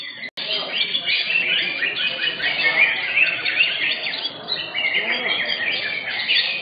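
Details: Green leafbirds singing in cages at an Indonesian songbird contest, session 15. Continuous tangle of quick trilled and whistled notes from several birds, a brief click near the start, and a low crowd murmur.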